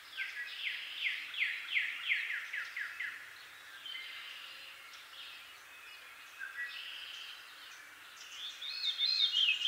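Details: A Veery in eastern North America sings a breezy, spiralling run of downward-slurred notes, about six in quick succession; a Northern Cardinal and Red-winged Blackbird chirp faintly and sing in the background afterwards.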